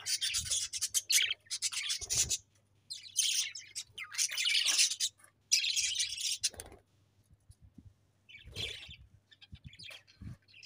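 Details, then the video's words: Budgies kept as pets chatter and chirp in repeated loud, raspy high bursts, roughly one per second, with pauses between groups. A few fainter chirps trail off toward the end. "𝑩𝒖𝒅𝒈𝒊𝒆 𝑩𝒊𝒓𝒅𝒔 𝑪𝒉𝒊𝒓𝒑𝒊𝒏𝒈 𝑺𝒐𝒖𝒏𝒅𝒔"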